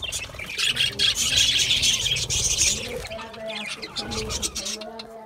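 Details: Budgerigars eating a seed mix: dense, busy high-pitched chattering and chirping fills the first three seconds, then fades to sparser chirps over low, voice-like harmonic sounds.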